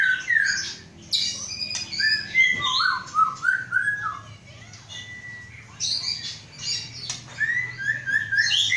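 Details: White-rumped shama from Aceh, Indonesia, a caged bird hatched 23 August 2012 and being readied for breeding. It sings mellow whistled notes that dip and rise, alternating with high twittering bursts. There are short gaps between the phrases.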